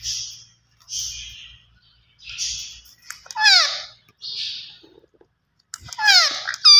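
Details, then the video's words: Green ringneck parrot starting with soft breathy hisses, then bright ringing notes with descending glides, ending in a loud piercing burst. "Gareen Ringneck Perrot Talking Vice Always Superb"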